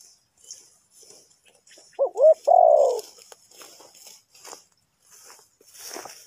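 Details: A single spotted dove phrase from a bird-trapping setup in Ninh Thuận, Vietnam: a pair of brief curling notes, then one long descending coo. Light rustling and faint clicks follow.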